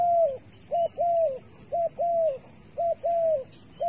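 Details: Bait dove used for trapping, cooing in steady pairs: a short clipped note then a longer, slightly arched note falling at its end, repeated roughly every second over a low background murmur.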